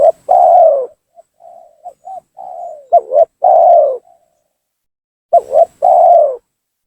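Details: Spotted dove giving a lure call meant to draw rival doves down and provoke them: loud, mellow, low coos in separate phrases, a soft rolling note before each falling coo, with quieter short coos between.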